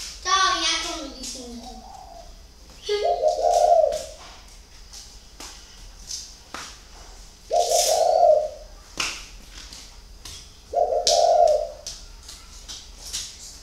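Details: Spotted dove of the thổ khách type, cooing with the hitched 'có vấp' delivery: a short, rough opening, then three deep, hollow coo phrases spaced about four seconds apart. Sharp clicks and faint chirps are heard between the phrases.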